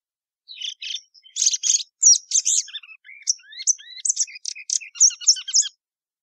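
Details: Sporophila plumbea, the Plumbeous seedeater, sings a lively varied phrase of high trills, buzzy notes and descending slurred whistles, ending in quick sharp chips.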